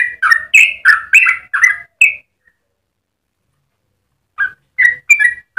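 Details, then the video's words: Song of a Yellow-vented bulbul, used to train and stimulate other birds: a rapid burst of rich whistled chirps for two seconds, then silence, then the chirping resumes at a slower pace. "Trucukan gacor ropel panjang cengkok termerdu untuk pancingan dan masteran"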